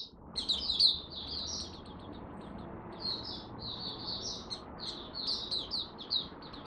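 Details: Mata puteh, the Malaysian oriental white-eye, during its first warm-up of the day, 01/08/2023: fairly soft, continuous high twittering phrases of slurred whistles, with a low background rumble.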